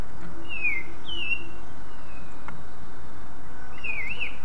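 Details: Cucak ijo, the greater green leafbird, giving its song that prompts other leafbirds to sing: a few drawn-out, wavering whistles, the last one rising and twisting, over faint steady hiss.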